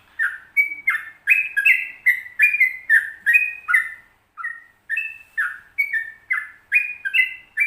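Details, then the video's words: Yellow-vented bulbul in 'ropel panjang' style, a lively chattering chain of short whistled and slurred notes, roughly two to three each second, with one brief gap halfway; training recording to make kept birds sing. "Trucukan Ropel Panjang Gacor"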